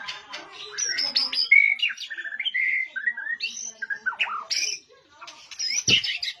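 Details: White-rumped shama bowing and immediately joining in to sing: loud, varied whistled phrases with slurred up-and-down notes and harsh chirps, a brief gap, then a short knock before more bright notes.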